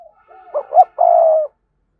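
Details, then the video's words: Spotted dove used as a decoy bird, noted for a strong, spirited voice, giving one complete phrase: two quick swelling notes followed by a long, steady, slightly falling croon. "Tiếng cu gáy mồi chuẩn, con mồi có giọng thúc hay và sung"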